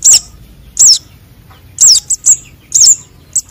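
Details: Young sunbird calls, known locally as konin and sogon, played to lure wild birds: sharp, very high chirps with a rising-falling twist, given in spaced bursts of one to three notes about once a second.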